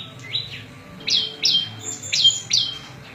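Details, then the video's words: Prinia (prenjak lumut) giving a few slower, separate notes, each a sharp rising sweep ending in a thin high tone, roughly two per second; song meant for tutoring and luring wild birds. "Suara Variasi prenjak lumut cocok buat masteran&pikat burung liar"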